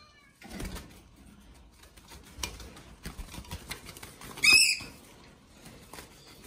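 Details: Two young male yellow-streaked lories: one gives a loud, harsh, screeching call near the end, with a few faint shorter calls before it over rustling and clattering.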